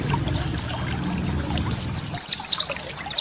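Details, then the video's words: Pleci master song for training caged birds: faint murmur at first, then loud high slurred whistles tumbling downward in quick succession. "masteran burung pleci"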